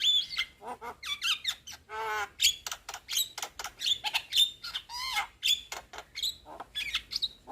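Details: Young Javan myna in full chattering song: an unbroken medley of grating rasps, sharp clicks, short whistles and a low, nasal buzzing note, delivered fast and loud throughout.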